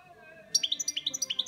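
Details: Caged European goldfinch bursting into quick, bright twittered song after a brief quiet start, with evenly spaced high chirps about eight per second.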